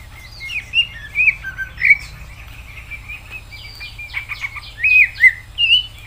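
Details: Greater green leafbird in varied, mimicking song, mixing clear upslurred and downslurred whistles, chattering buzzy notes and quick trills, over a low steady hum.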